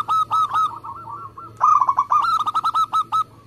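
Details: Fast singing local zebra dove, a lure to start other doves calling: a few loud spaced coos, a softer wavering phrase, then a quick, loud series of rolling coo notes.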